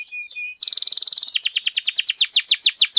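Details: Canary lure song to raise other canaries' excitement into singing: two short chirps over a flat tone, then a rapid buzzy trill that slows into louder downward-sweeping whistles.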